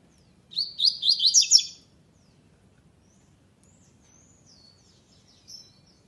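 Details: A double-collared seedeater delivers its tournament classic song lacking the third note: one quick burst of high, chattering repeated notes, about seven in little more than a second, followed by faint thin calls in near silence.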